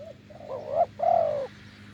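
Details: Deep-voiced wild spotted dove near a decoy delivers one off-beat phrase: a quick low hoot, a wavering rising note, then a strong, long coo that slowly falls.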